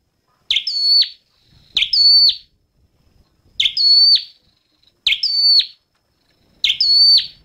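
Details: A red-headed flowerpecker repeats a high, bright note five times. Each is a short upward sweep, a held thin whistle and an abrupt downward snap, with irregular gaps between them.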